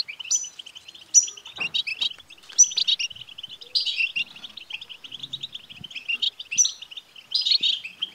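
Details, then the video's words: Song of a European goldfinch, used to stimulate a male to sing: continuous chattering twitter with bright high flourishes about once a second and occasional buzzy notes. "بتبتة لتحفيز الحسون سوف يكسر القفص لأن دكر الحسون لن يصمت دقيقة واحدة بعد سماع هده البتبتة"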